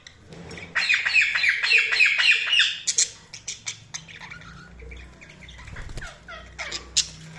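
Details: Budgerigars chirping: a fast, steady run of buzzy squawks for about two seconds, then scattered clicks and short chirps.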